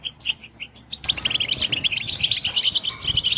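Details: European goldfinch singing to stimulate other goldfinches; a few spaced chirps open the recording, then a dense burst of fast tinkling twitters follows after one second.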